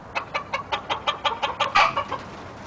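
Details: Young red junglefowl male, YellowLyon strain, kept by a breeder in India: a steady series of crisp pulses roughly every fifth of a second leads into a very short loud crow burst, then quiet.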